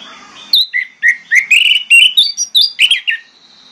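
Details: Orange-headed thrush singing a training lure meant to prompt quiet birds to sing; rapid varied whistles and chirped slurs, a dozen quick notes tumbling over each other in under three seconds.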